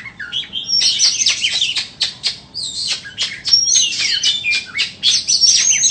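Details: A white-rumped shama offered for sale sings a lively stream of sharp clicks and quick high whistles, about four notes a second, with louder ringing phrases in between.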